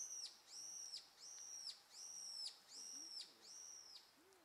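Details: Young Japanese pygmy woodpeckers calling in a steady run of high, arched, slightly buzzy notes, about one per second, with faint low sounds in the background.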